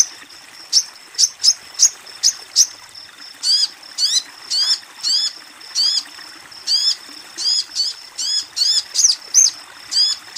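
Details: Female crimson sunbird calling a male, intended as therapy for raw or silent captive birds; a rapid series of thin, piercing chirps gives way to steady, evenly spaced squeaky notes that drop sharply in pitch.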